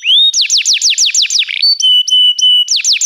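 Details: A canary sings for training young birds: a rising whistle opens into a quick series of downward-sweeping notes, a brief buzzy burst, then steady, flat, bell-like held tones before the sweeps return.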